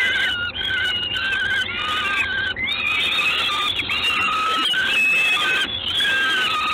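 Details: Peregrine falcon calling in Gdańsk on the evening of 3 June 2016. Insistent, harsh, wavering whines come in quick succession, some rising or falling at the end, almost without silence between them.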